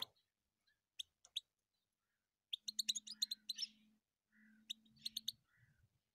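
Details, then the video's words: European goldfinch singing: scattered sharp high chirps, then a dense twittering burst around the third second and another near the fifth, over a steady low hum. "Пение щегла."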